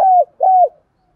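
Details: Two smooth, level hooting coos from a spotted dove, each ending in a slight downward slur, played to prompt a male to coo. Quiet background.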